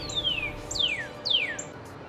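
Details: A Northern Cardinal sings three loud, clear downslurred whistles, each sliding from high to lower pitch and spaced about half a second apart, over a faint steady hiss. It was recorded in a backyard in the United States in spring 2024.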